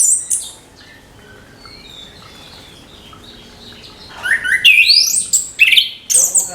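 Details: Orange-headed thrush singing in the morning, a trickling song meant to spur young thrushes into song; after about four seconds of near-silence come loud, high, rapid chirps and sweeping whistled phrases in quick bursts.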